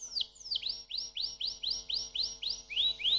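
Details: Canary song of repeated bright, upward-curving whistled notes delivered about three per second in an even series. The notes shift slightly lower in pitch toward the end, over a faint hum.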